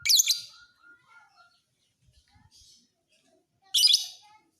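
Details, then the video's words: Lovebird described as a fighter bird kept for training other birds to sing; two loud, sharp bursts of rapid high chirping, one at the start and another near the end, separated by quiet soft chatter and faint low knocks. "MASTERAN KICAU BURUNG LOVEBIRD FIGHTER"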